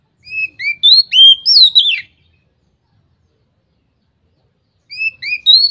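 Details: Oriental magpie-robin (kacer) singing in the loud ngeplong style, said to set other magpie-robins singing too; a two-second burst of clear, rising and falling whistled notes with slurred high phrases, a long pause, then the opening notes again.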